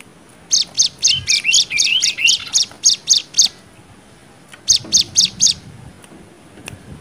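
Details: Hill Prinia 'nembak' song for tutoring young birds: a quick run of high, sharp notes with lower warbled notes woven between them, then a pause and a second run of five notes.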